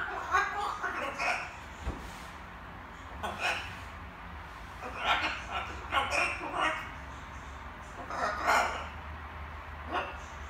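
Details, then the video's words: A little macaw kept as a pet, practising words at evening: clustered, raspy word-like syllables in quick runs, then pauses, over a faint room hum. "Wieczorne gaworzenie małej papużki"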